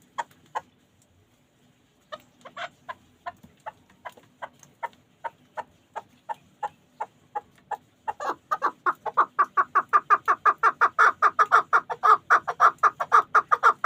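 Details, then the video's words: Pamir chukar partridge kept for hunting begins with scattered single chuk notes that gradually quicken, then breaks into a loud, rapid, accelerating chukar-chukar series from about eight seconds onward. "Кабки Помир"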